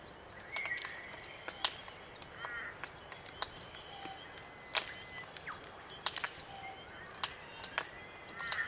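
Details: Small flock of wild Glossy Black Cockatoos feeding on Allocasuarina cones in the Australian bush, Macleay River valley, NSW, Australia: sharp dry clicks scattered throughout, with faint creaking notes rising and falling beneath them.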